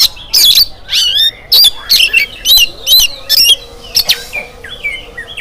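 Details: Oriental magpie-robin singing in the morning to spur other birds into song. Loud, ringing phrases of mixed whistles and rasping notes repeat about twice a second, then fade into softer looping whistles.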